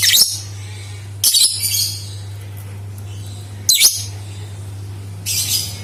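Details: Lovebird chattering used as a singing lure for other lovebirds: four shrill, raspy bursts, the last more drawn out, separated by quiet gaps with a low hum.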